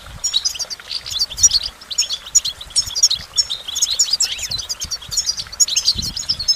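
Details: Lively goldfinch song: quick, tinkling high notes and liquid twitters tumble in an unbroken stream, bursts swelling and fading every second or so, over faint low background knocks.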